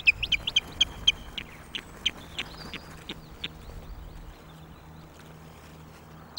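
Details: Osprey on its Loch of the Lowes nest, May 2022 morning, guard-calling at intruding ospreys: a fast train of short, high whistled yelps, roughly four a second, fading out, with a faint low hum behind.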